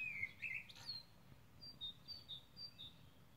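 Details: Common blackbird singing on 21 May 2020: a descending warbled phrase around the low-middle range, then short high thin notes repeated roughly twice a second over a quiet low background hum.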